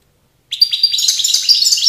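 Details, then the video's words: A short burst of goldfinch song recorded in Tiaret in 2019: dense, rapid, high chirping twitters starting abruptly after a brief silence. "chant chardonneret"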